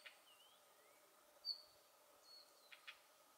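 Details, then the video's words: Male red-flanked bluetail giving its ground call on 10 December 2019: a few soft, high notes, thin whistled slurs, a sharp tick and two dry clicks near the end, over a steady background hiss. "ルリビタキ(Siberian Bluechat)♂の地鳴き"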